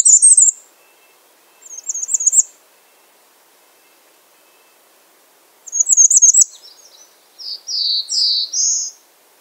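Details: Bay-breasted warbler calling: brief, very high, stuttering trills repeated three times with long gaps, then a lower run of four rising slurred notes; quiet background otherwise.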